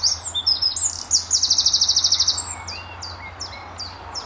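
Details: A lively Eurasian wren (Troglodytes troglodytes) in early morning in March at a farm in Letchworth sings very loudly, answering a nearby wren from its territory: a high-pitched burst with a fast rattling trill, then sharp scattered notes, over a low steady hum.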